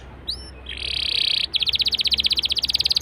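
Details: A canary's prompting song for other canaries: two thin high upslurred whistles, a sustained buzzy trill, then a pulsing chattering roll repeated steadily to the end.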